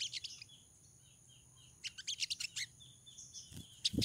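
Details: A female pied triller in breeding condition calls to attract a male, giving short high chirps, a run of soft descending whistled notes, then a quick cluster of sharp chirps, over a low hum and faint thumps.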